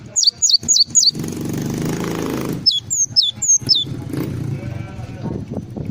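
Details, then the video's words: A Java sparrow gives full isian song: a run of four high falling whistles, a burst of engine-like noise, then three more slurred notes. Low background rumble continues throughout. "SUARA BURUNG GLATIK FULL ISIAN"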